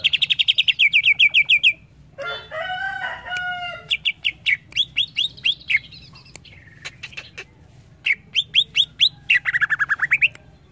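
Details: Greater green leafbird song, played to train young captive birds to sing: fast repeated chirp series, a lower harmonic warbled phrase, then sharp down-slurred notes and a clear dipping whistle, with a faint low hum behind.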